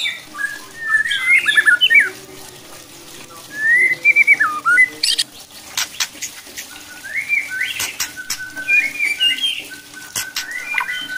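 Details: White-rumped shama song to provoke other shamas into fuller, aggressive singing: rapid twisting whistled phrases with pauses, some softer warbles, and several sharp clicks or knocks in the background.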